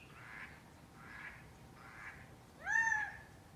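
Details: Gambel's quail walking in Scottsdale, Arizona: three soft, breathy notes about a second apart, then one loud, nasal, crow-like call that rises and levels off.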